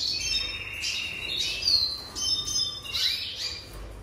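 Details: Jaspe canary producing short harsh rasping notes mixed with thin high whistles, in bursts roughly every second.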